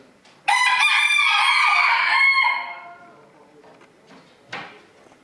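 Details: Rooster at a 2022 crowing contest in Villers-la-Ville, held as a small-livestock club's first event of the year: a single loud, harmonic cock-a-doodle-doo lasting about two seconds, then fading, followed by a faint knock.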